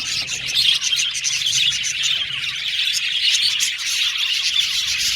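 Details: Caged male budgerigars, blue and violet, in a colony aviary giving a constant bright twittering chorus of quick high chirps layered over one another.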